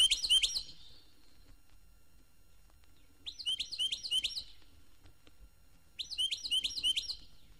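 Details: Carolina Wren, called Florida wren, a year-round singer that may nest inside houses in Florida. Loud rolling phrases of three to four quick, ringing, looping notes come in bursts about every three seconds.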